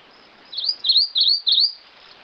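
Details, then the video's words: ['Rufous-crowned Greenlet: a short phrase of four high, clear notes that swoop upward and down, delivered evenly in about one second, over a quiet hissing background.'] "Canto do Pássaro Verdinho-coroado!"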